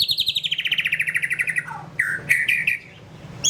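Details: White-rumped shama singing a fast, even trill that slowly falls in pitch over a second and a half, then short loud slurred whistles and chirps.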